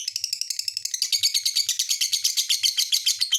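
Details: Lovebird chattering in quick, shrill, squeaky notes that grow louder and denser after the first second, forming a continuous high twitter.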